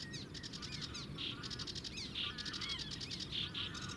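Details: Sedge warbler singing at the Zouweboezem in the Netherlands, filmed from a distance: lively chattering mixed with harsh rasping bursts and short rising whistles, delivered without pause over a low rumbling background.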